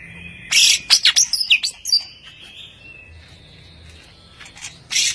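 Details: Champion greater green leafbird giving a rapid burst of sharp chirps and whistles, then a long thin sustained whistle, with a final loud chirp at the end.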